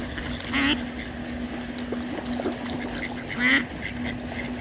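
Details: Mallards in Ebertpark, males fighting to mate with a female: two short, nasal duck calls about three seconds apart, over a steady low mechanical hum and faint background chatter.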